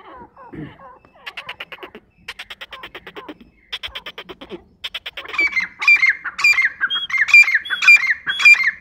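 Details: Grey francolin, known locally as dakhni teetar: a run of fast, evenly pulsed rattling notes builds into loud, strident, ringing phrases repeated about once a second, sharp and high-pitched, with no other clear sounds.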